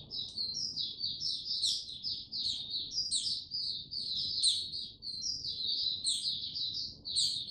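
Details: Mata puteh (white-eye) building confidence before opening its song: steady, fast high-pitched warbling twitter, densely packed notes with sharp upward flicks, unbroken from start to finish.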